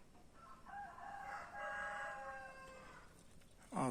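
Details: A rooster that crows like an alarm clock gives one long, strained crow with stacked harmonics, holding then trailing downward, against low background noise and a brief thump at the end.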